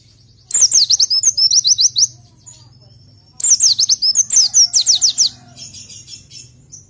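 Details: Oriental white-eye song, a masteran meant for tutoring pleci: two long phrases of rapid high downslurred notes with a twittering middle section, a quieter gap between them, a weak low hum throughout.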